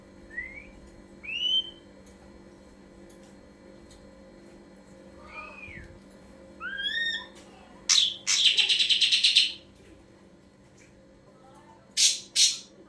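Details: Ashy drongo song used as a lure so that other kept birds answer. Short rising whistled notes and slurred phrases come first, then loud harsh rasping bursts midway and near the end, over a steady low hum.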